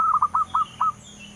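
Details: Local zebra dove, locally called perkutut, in long, lively cooing song: a run of five short, low, rounded coos, the last slightly drawn out, over a steady background hum.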